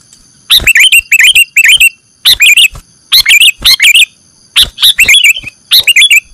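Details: Kutilang, or sooty-headed bulbul, played as a bird-catching lure: repeated bursts of loud, bubbly chirps with rising and falling whistled notes, roughly one burst every second, over a faint steady high hum.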